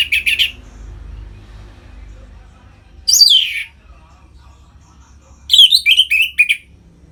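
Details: Orange-headed thrush in captivity, singing to excite other caged birds into breeding mood: a short burst, a sweeping downward slurred note, then a quick series of warbled, descending phrases.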